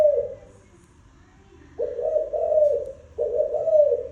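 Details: Spotted dove giving soft, low hoarse coos: a short note, then a pause, then two drawn-out mellow coos, each about a second long, in a quiet room-like setting.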